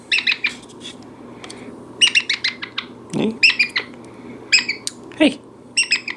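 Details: A pet brown-headed parrot in a chatty mood gives bursts of sharp, high chirps and clicks in quick clusters about once a second, with a low household hum and a brief human voice.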